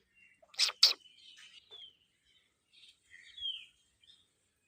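A rose-ringed parakeet gives two loud, harsh screeches, then softer high chirps and a short sliding whistle over a few seconds.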